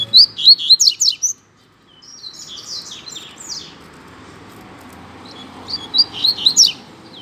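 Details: Double-collared seedeater (coleiro) in a singing duel against another bird: rapid, high, twittering phrases of sharp, slurred notes, a long silent gap, then another fast phrase of chirps.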